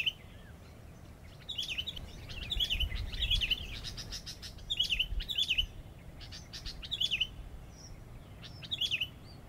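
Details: Sooty-headed bulbul kept as a decoy bird, singing short, bright, bubbly phrases that rise and fall. The phrases come in quick clusters every second or so, with sharp clicking taps between them over a low background rumble.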